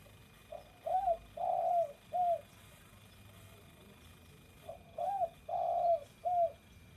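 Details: Spotted dove singing, a mellow cooing phrase of a brief lead note, a rising coo, a long drawn coo and a shorter closing coo, repeated twice in quiet surroundings.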